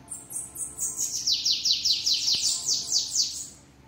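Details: Bananaquit (sibite) singing the 'treme treme' song style, said to sing strongly: a rapid run of high, buzzy notes, each sweeping downward, about two to three per second, gradually dropping in pitch before fading out.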